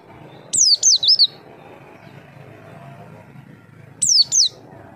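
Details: Javan white-eye call used as a lure so other birds respond: a rapid string of four high wavering descending whistles, silence, then two more, over soft low hum.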